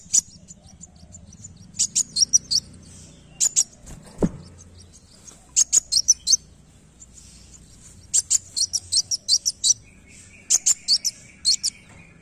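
A sunbird sings very high, thin, rapid twittering phrases in short bursts separated by brief pauses, with a single sharp knock partway through.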